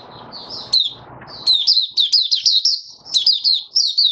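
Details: Short burst of song from a caged oriental white-eye after its monthly deworming: a noisy rustle gives way to a lively run of high, slurred twittering notes, each chirp quickly following the last.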